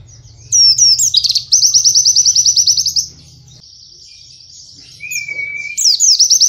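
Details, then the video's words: Tutor song for caged white-eyes in the close 'nembak kenari' style. Sharp twittering opens into a fast, high, rattling trill, then a quieter stretch with a level whistled note before the trilling resumes. A faint low hum runs underneath. "Burung pleci bahan terbaru nembak kenari rapat mudah masuk untuk pleci bahan"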